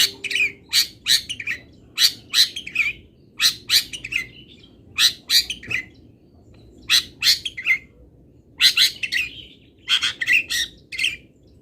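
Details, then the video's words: Local long-tailed shrike singing a tutor 'isian' sequence: repeated groups of two or three sharp, grating chirps at steady spacing, quiet background. "ISIAN WAJIB BURUNG CENDET - 99,01% PATI ADA ISIAN MODEL INI | MASTERAN CENDET LOKALAN"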